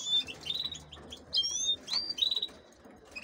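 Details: Caged female canaries, held for crossing with goldfinches, make a few high whistled chirps and short slurred notes. Low background noise runs throughout.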